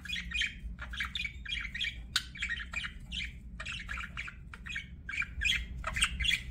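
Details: Budgerigar chirping: a continuous stream of rapid, squeaky, scratchy chirps and chatter in quick pulses, with louder squawky notes throughout and a faint low hum beneath.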